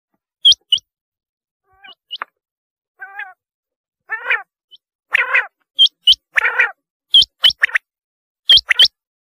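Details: Rain quail paired high upslurred whistles mixed with lower, harsher, rasping chattering calls, the two sorts alternating and overlapping through the passage.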